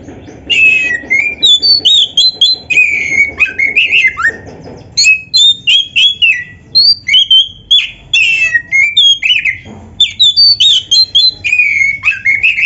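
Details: Oriental magpie-robin song meant as a training recording for other birds: rapid, varied phrases of clear whistles, slurred notes and sharp chirps, mostly high-pitched, delivered in quick bursts with brief pauses throughout.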